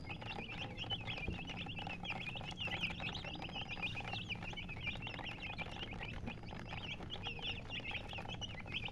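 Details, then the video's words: Hen-coloured chickens chirping: a continuous stream of thin, quick peeping notes rising and falling, many overlapping, with steady low rumbling background noise. "silly chicken chirping sounds"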